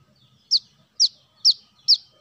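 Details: Four crisp, high descending chips from a brown-throated sunbird, locally called kolibri manggar or wiceh, evenly spaced about half a second apart, used as a bird-luring sound; soft low hum in the background.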